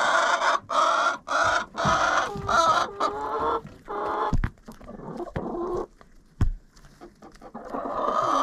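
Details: Chickens in a coop, recorded with a GoPro inside. A run of harsh, nasal squawks is repeated roughly every half second, then gives way to quieter clucks. Sharp knocks from birds pecking or moving punctuate the scene.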